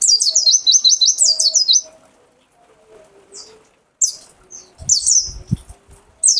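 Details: Mountain white-eye kept as a songbird: very high, rapid stuttering run of repeated notes, then a pause and further sharp twittering bursts, with a brief low knock in the background.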